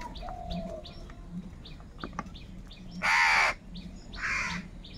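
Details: Crow calling for food amid group anger, one loud harsh hoarse caw lasting about half a second near the end, a fainter rasp after it, over steady chirping and thin whistles from many small birds.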